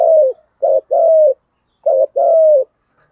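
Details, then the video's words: Spotted dove cooing in the "thổ thúc" style, calling to lure wild doves: a short coo, then a longer level-to-falling coo, heard twice with short pauses between, low and mellow. "cu gáy giọng thổ thúc và gáy gọi bổi cực đỉnh"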